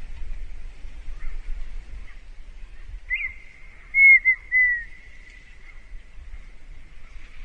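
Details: Red-winged tinamou singing: a short rising whistle, then a run of three loud, pure, slightly falling whistled notes close together, with quiet background otherwise.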